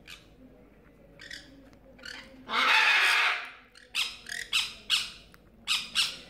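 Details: A parrot in a parrot house holding sun conures, jenday conures and other species, during hand-feeding: a long, harsh screech, then short, rasping squawks at roughly half-second intervals, over a low background murmur.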